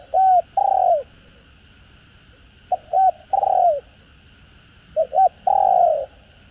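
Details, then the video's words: Spotted dove, locally cu gáy or cu đất, 'giọng hạp' voice style, from a full set of calling, urging and cooing: three phrases, each one or two short hooting notes and a longer coo that drops at the end, spaced about two seconds apart. "Tiếng Cu Gáy Giọng Hạp BổI ĐỦ BÀI [ GÁY GỌI,THÚC,GÙ ]"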